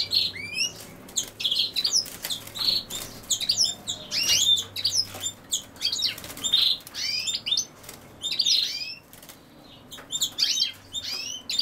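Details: European goldfinch, with common sowthistle (Sonchus oleraceus) named alongside it, giving bursts of bright, high twittering and chirping notes about every one to two seconds, with rustling and wing-flutter sounds between phrases.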